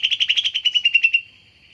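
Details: Short greater green leafbird lure trill: about fourteen rapid buzzy pulses in just over a second, then fading into a thin sustained tone.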